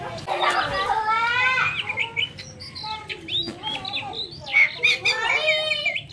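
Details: Poci bird chatter of rapid, nasal, stacked notes in quick runs, broken by clipped chirps and a bright whistled note near the end, all tumbling together without a steady rhythm.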